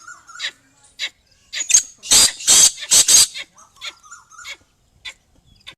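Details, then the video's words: Female black francolin giving loud, rasping, grating notes. A cluster of four strong bursts sits in the middle, with softer scattered chips before and after, and quiet gaps between. "black francolin female voice"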